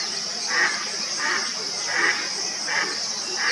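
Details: Indian spot-billed duck recorded around Aurangabad, India: rough, nasal quacking notes repeated roughly every 0.7 seconds, five notes in all, with a steady shrill insect chorus running underneath.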